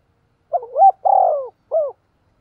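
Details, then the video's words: Decoy spotted dove calling to lure wild birds: a single clear three-part coo, two quick rising notes, a long steady hoot, then a short final note, in quiet surroundings. "Chim Cu Mồi Thúc Và Gáy Gọi/ tiếng cu gáy mồi chuẩn kích bổi"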